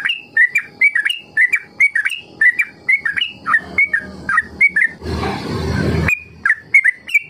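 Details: Trucukan singing ropel, a recording meant to coax young trucuk into learning long continuous song: a steady run of short liquid whistled phrases, broken near the end by about a second of loud rustling noise, then more phrases.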